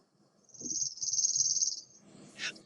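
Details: A chipping sparrow song is played as a lecture example: a fast, dry, even trill of repeated chip notes on one high pitch for about a second and a half, ending with a sharp chip, over faint room murmur.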